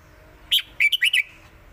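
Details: Thai caged red-whiskered bulbul singing in lak wai and southern mae bot styles: one clear note, then a short, punchy phrase of four fast, looping whistled notes, bright and rich.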